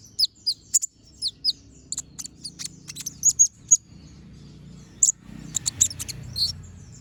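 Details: Konin (brown-throated sunbird) in gacor ngobra song with sharp shots: bursts of very high, piercing chips and quick downslurred whistles, grouped in rapid clusters separated by short pauses, over a faint low murmur.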